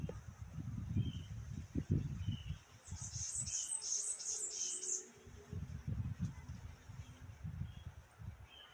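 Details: Birds in the morning: a burst of shrill, fast twittering in the middle, with a few soft mid-pitched chirps scattered throughout and low rumbling noise around it.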